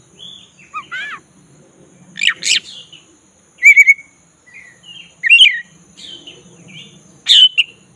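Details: Black-breasted Oriental magpie-robin giving a relaxed continuous rolling song, used to lure a listless bird into active singing: short rising whistles, slurred notes and scratchy bursts at irregular intervals, over a faint low hum and a thin steady high whine.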